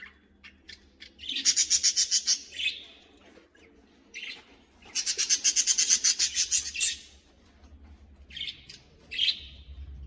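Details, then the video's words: Budgerigar colony in a cage: rapid, evenly pulsed raspy chatter in two long bursts, then a few shorter scratchy chirps, low background hum. "Budgies colony! 😱🦜Budgieschirping!🕊️Budgies sounds!"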